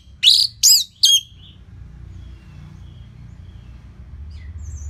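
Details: Three loud, rich downslurred notes in quick succession from an Orange-headed thrush, used in a slow lively song to train other birds, followed by a long quiet pause.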